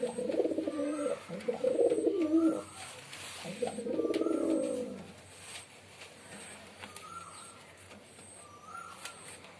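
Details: Pigeons deliver deep, rolling coo phrases in the first half, then go quiet while sharp, high, evenly spaced chirps from small birds continue.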